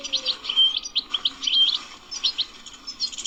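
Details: European goldfinch described as wild, giving a short burst of twittering song: quick chirps grouped in clusters, two level whistled notes, then lighter chatter.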